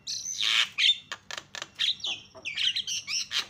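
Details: Javan myna lure recording, loud and strident: a rapid jumble of harsh squawks, clicks and shrill whistles in bursts every fraction of a second over a faint low hum.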